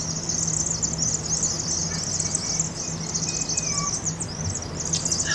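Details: Many Vaux's swifts migrating through Eugene, Oregon in fall chitter together in a steady, high, buzzy twitter with no pause, over a low engine-like hum, at a University of Oregon campus chimney roost at night, some 7,000–7,500 birds entering after a Cooper's hawk attack.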